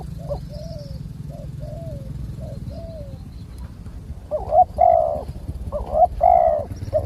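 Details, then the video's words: Spotted dove in the wild, drawn in by a decoy bird in Thailand, with a big deep voice; faint distant coos are followed by louder, hoarse paired coo phrases late in the clip over steady low background noise. "นกป่าเสียงคูใหญ่ๆ แต่ไม่รูกี่กุก"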